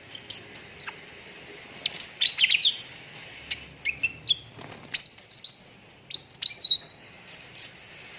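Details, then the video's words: Cucak ranting song serving as training material for contest birds. Quick high chirps, downslurred whistles and twittering phrases follow one another in irregular bursts, with a few slurred lower notes in the middle. "PANCINGAN CUCAK RANTING BAHAN AGAR CEPAT GACOR"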